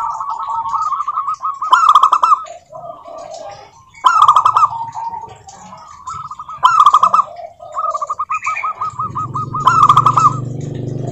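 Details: Local zebra doves sing as a lure to prompt other doves: loud rolling trills recur about every two to three seconds. Lower cooing phrases sit between them, and a low rumble rises near the end.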